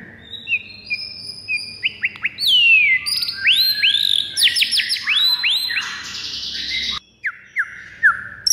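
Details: White-rumped shama fighting song, used to stir other birds into anger. Bright rising and falling whistles grow into dense, ringing arched notes. An abrupt break follows, then a few separate downslurred whistles.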